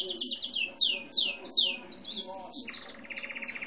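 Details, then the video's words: Mixed-breed gray and white pet canary singing a fast chattering roll, several loud downward sweeps, a thin buzzy trill and lower rapid rattle at the end. "Canário Belga, Cinza e Branco ou Lavanderia, Contando"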